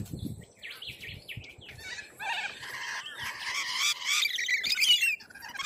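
Corellas screech in a flock: harsh, grating squawks overlapping rapidly, building louder in the second half, with a faint low rumble underneath.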